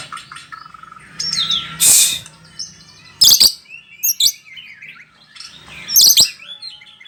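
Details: Bahorok white-rumped shama singing from one spot: rich varied whistled phrases and slurred notes, broken by sharp loud clicking bursts, with quieter warbling between them.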